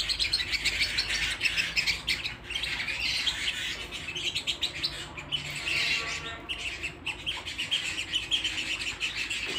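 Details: Domestic canary in song indoors, a continuous stream of bright, rapid chattering trills with brief pauses and varied, warbling phrases throughout.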